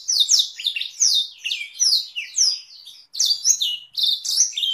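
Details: Canary with Blackthroat roll variation singing a training song for other canaries and magpie-robins; bright downward-sweeping whistles about a second apart, mixed with buzzy trills, one short gap late on.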